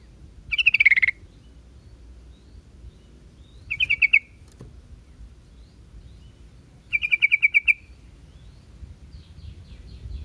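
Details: Repeated short phrases from a yellow-vented bulbul: clustered, chattering chirps in bursts roughly every three seconds, the first slightly descending, with faint distant twittering between phrases.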